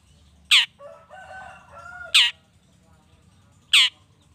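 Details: Long-tailed shrike lure recording meant to provoke other shrikes: three loud, abrupt, rasping notes about one and a half seconds apart, with faint soft warbled tones between the first two.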